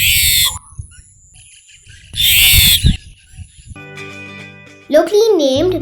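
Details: A Brahminy Starling (Brahminy Myna), a migrant in Sri Lanka, gives two harsh, grating bursts about two seconds apart, followed by a sustained musical tone and a wavering melody.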